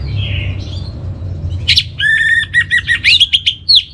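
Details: Orange-headed thrush giving a master song for training birds: after a faint soft warble comes a loud, rapid string of ringing whistled notes and trills, with quick pulses at an uneven pace.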